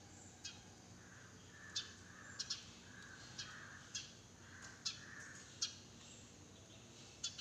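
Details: A sparrow in a garden in the early morning gives short, sharp chirps at irregular intervals, about nine in seven seconds, over soft, muffled calls of other birds such as crows and pigeons, and a low hum.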